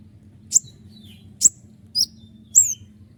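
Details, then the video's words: Konin gacor (common iora) song for tutoring other songbirds: four sharp, very high whistled notes, a couple of them falling in pitch, separated by pauses of around half a second to one second, over a steady low background hum. "roll tembakan panjang dengan tonjolan tajam mewah dari konin gacor untuk masteran burung kicau lain"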